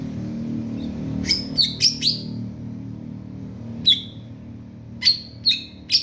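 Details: Greater green leafbird, a competition-ready bird, giving sharp, high, downward-sweeping chirps in quick clusters of three or four, separated by pauses, over a steady low hum.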